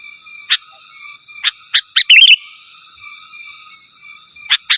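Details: Sooty-headed bulbul calling to rivals: spaced single chirps lead into a brief liquid, bubbly warble, followed by a pause and two more sharp notes, with a thin constant tone in the background.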